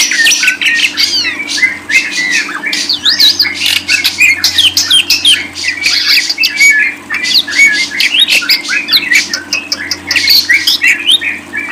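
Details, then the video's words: Lovebird song for jamming, sought after by songbird hobbyists: long unbroken stream of shrill, rapid squeaky chirps and scratchy twitters, very busy and loud throughout, steady low hum in the background. "100% jamin paling ampuh // paling di cari para kicau mania"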